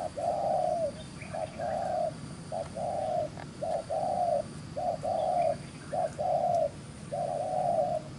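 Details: Newly caught spotted dove with pretty neck beads cooing in brisk 'gù xiết' fashion: about seven paired phrases in eight seconds, each a short note and a drawn, softly falling coo, faint small-bird chirps and low rumble in background.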